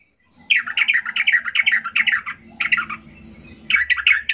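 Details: Agitated Yellow-vented Bulbul calling as if seeking a rival, giving a fast run of bubbly, chattering notes, about two or three per second, in bursts with short pauses.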